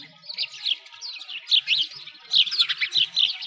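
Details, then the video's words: In a snowy Moscow park by a frozen lake, sparrows give lively strings of high, twisting chirps in two main bursts, with a brief lull between, over a quiet background. "Sparrows singing"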